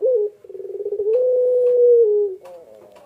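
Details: Barbary dove (puter pelung) calling while incubating eggs: a short rising note, then a rapid stuttering pulsed run swelling into a long, steady, slightly falling drawn-out coo lasting over a second.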